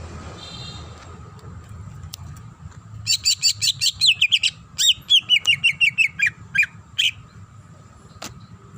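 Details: Greater green leafbird, a female calling the male, singing a varied song: after quiet, a rapid run of sharp, high, buzzy chirps repeated several times a second, then a series of falling whistled notes, with a steady low hum beneath.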